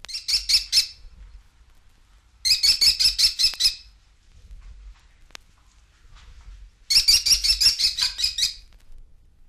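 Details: American Kestrel (sparrow hawk) from eastern and central North America gives three rapid bursts of shrill, high killy-killy-killy notes, each about a second long, with pauses between.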